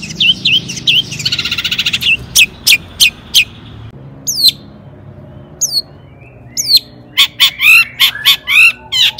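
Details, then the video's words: Long-tailed shrike 'toet toet' song used to provoke other shrikes: buzzy trilled phrases, sharp spaced chips, thin high downslurred whistles, ending in quick bright scratchy chatter. "cendet gacor AMPUH TOET TOET PANCINGAN CENDET AGAR BUNYI"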